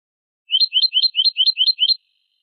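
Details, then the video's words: Eurasian goldfinch singing a Malaga copla (Manolo) tutor phrase used to teach goldfinch and hybrid chicks: seven quick, evenly spaced high rising chirps in a tight repeated series, clean with no background. "شريط كوبية ملقا (Manolo) original لتلقين فراخ الحسون والهجين"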